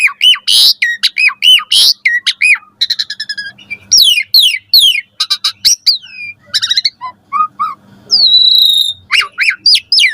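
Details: Lively Asian pied starling in full morning song, richly varied and used to train caged starlings to sing: a long, dense stream of rapid whistles, chattering notes, rising sweeps and harsh squawks with few pauses.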